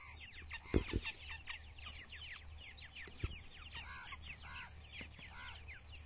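Grey francolin chicks give a rapid stream of thin, high peeping notes, some arched and downslurred, over a low steady hum and a few knocks.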